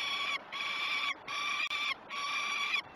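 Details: Peregrine falcons at a breakfast feeding on the Great Spirit Bluff nest cam, June 2018; harsh drawn-out screeching calls of about a second each, separated by brief pauses.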